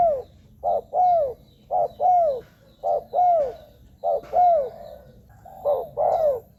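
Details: Cooing spotted dove used to attract wild doves: a regular series of paired notes, a clipped first coo and a longer arching, descending one, roughly once per second.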